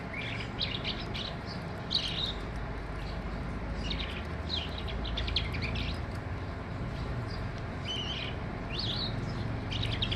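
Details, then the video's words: Skylark singing: bursts of high chirping and trilled notes come in scattered clusters, faint above a steady low rumble of background noise. "Sky Lark bird is singing in full bloom."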